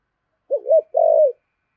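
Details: A single "thổ"-style coo phrase from a decoy spotted dove: a quick rising-and-falling double note sliding into a longer, steady, low hollow coo.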